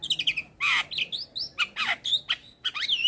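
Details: Song of an adult male Javan myna for teaching a young bird: clear whistled notes and rising slurs alternating with harsh, rough bursts, lively and varied.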